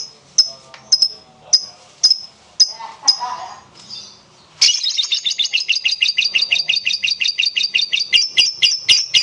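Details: Long gacor-style lovebird song used to draw other lovebirds into singing: a few spaced high chirps with a faint low murmur, then a dense run of rapid squeaky chatter.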